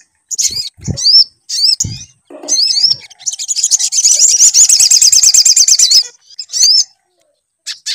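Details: Sunbird song used as a lure to get another bird singing: high wavy whistles and short chirps, then a long fast buzzy trill lasting nearly three seconds, with a few low thumps between phrases.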